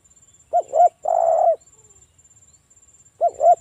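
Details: A local spotted dove gives its lure song, meant to prompt other doves to answer. Two quick, soft coos lead into a long, steady, hollow coo, and the phrase then starts again after a short silence. A faint insect trill runs underneath.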